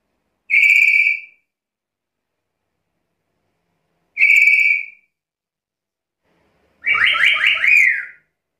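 Black-capped lory giving two loud, shrill whistled screeches about four seconds apart, then a longer harsh, warbling squawk; no other sounds.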